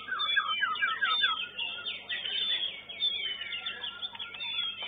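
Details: A young caged White-rumped Shama placing fourth in a singing contest sings a rapid, nonstop run of varied whistles, sharp upward and downward sweeps and chattering notes, with other songbirds possibly overlapping.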